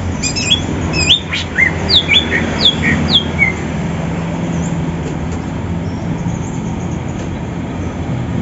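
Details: Greater green leafbirds from Banyuwangi and Sumatra singing in the morning while seeking a rival, kept for songbird contests: a quick run of sharp whistled notes sliding up and down for about three seconds, over a constant low rumble.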